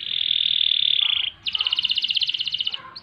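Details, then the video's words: Kenari, or canary, singing in rolling ngerol style: a smooth, bright, level whistled roll, a short pause, then a fast rattling trill of evenly repeated notes. "Kenari Gacor Panjang Ngerek Ngerol Nembak"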